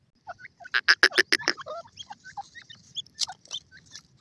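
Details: Grey francolin, a grey teetar of the type locally called Canadian. Loud harsh broadband notes are repeated rapidly for about a second. Softer scattered chirps from other small birds follow.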